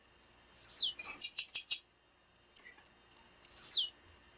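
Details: Blue-black grassquit female calling to rouse males: a high descending whistled slide, a run of four loud clipped chips, soft ticks, then another steep falling whistle near the end.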